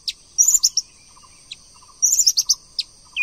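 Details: White-rumped shama, female calling to stimulate a male to sing: two bursts of sharp, very high chipping notes roughly a second and a half apart, with quieter ticking between them.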